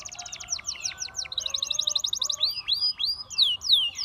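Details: Canary singing to tempt other canaries into song: quick series of high clipped notes, a rapid trill, then looping rising-and-falling whistled sweeps; faint lower chirps from other birds underneath.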